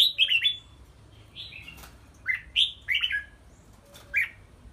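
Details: Red-whiskered bulbul during cage training in a small high-hung bamboo cage; rapid whistled notes sliding down, in short bursts of two or three, with brief clicks and light fluttering sounds between.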